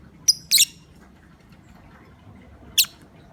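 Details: Lovebird calling to provoke other lovebirds: a quick sharp tick followed by a harsh shrill burst, then silence and one more piercing squeak near the end.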